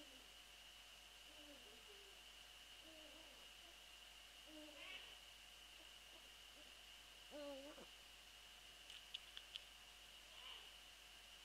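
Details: Eurasian eagle-owl calling near a nest microphone at night, 0:28 on 22 February 2013, while the female is away from the nest; several faint, wavering, harmonic calls, some bending up then down, over a steady hiss.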